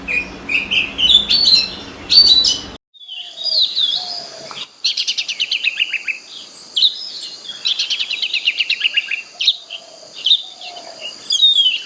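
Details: Oriental magpie-robin singing in a forest: bright whistled phrases and rapid, buzzy trills in varied bursts, with an abrupt break near the three-second mark before the varied phrases resume.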